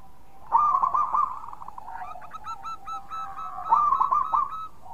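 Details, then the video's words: Local zebra dove singing actively, played to lure other doves: quick trilled bursts at a steady mid pitch, a soft stuttering stretch between two louder rolling phrases. "Perkutut Lokal Gacor super ampuh untuk pancingan"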